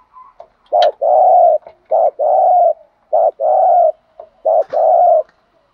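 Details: Spotted dove lure bird from Dak Lak, Vietnam, used to stir up rival males, gives deep cooing phrases. Each has a quick clipped note before a longer sustained coo, three phrases in under six seconds, with faint clicks between.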